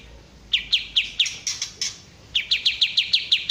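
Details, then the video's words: Kapas tembak bulbul: crisp repeated chirps, a few higher buzzy notes, a short gap, then a steady quick series of about nine sharp chirps. "suara asli kapas tembak top"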